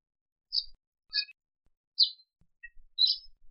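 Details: Sparrow recorded in Africa: four bright, high chirps about once a second, each short and slightly buzzy, with a faint tiny note between the third and fourth.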